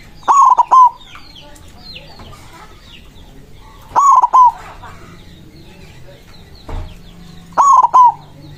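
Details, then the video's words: Loud white zebra dove song aimed at rivals: a stuttering three-part coo repeated roughly every three and a half seconds, three times. Soft chirps of other birds and a brief knock are heard between phrases. "Perkutut putih gacor suara besar ampuh memanggil lawan bunyi emosi manggung"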